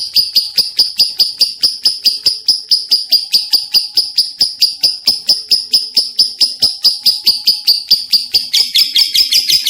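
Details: Long, unbroken chatter from a lovebird: sharp high notes pulsed at a steady quick pace for nearly ten seconds, the last second turning harsher and more rasping.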